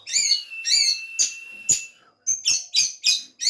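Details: Oriental magpie-robin at a breeding facility in Banjarnegara, Central Java: loud, harsh, high buzzy notes, first two drawn-out phrases, then a rapid series of short sharp bursts.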